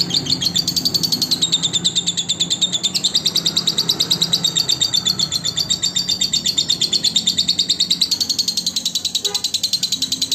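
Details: Lovebird song for tutoring other lovebirds: sustained high, rapid chattering with a rising and falling warble, running without pause, a brief hoarse note near the end, and soft low hum beneath.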